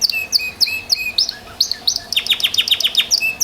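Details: Belgian Bossu canary in energetic song, mixing sharp high chips and short whistled phrases, then breaking into a quick, regular series of downward-sweeping notes before resuming the high chirps.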